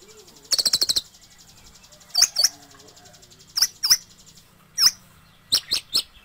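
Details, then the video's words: Sunbird song recorded as tutor material for training other songbirds: a rapid burst of high, sharp chirps, then pairs of thin, piercing notes repeated about every second and a half, over faint steady hiss. "Suara Burung Terbaru 2020 - Kolibri Ninja (Konin) Cocok Untuk Masteran"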